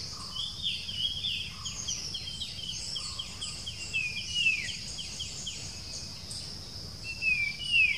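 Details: Puff-throated babbler giving a persistent whistling call on the outskirts of Bangalore, India, on a Sunday dated 07-06-2020, recorded with a Nikon Coolpix B700; clear descending whistles stand out late, over dense high chirping and a steady high hiss.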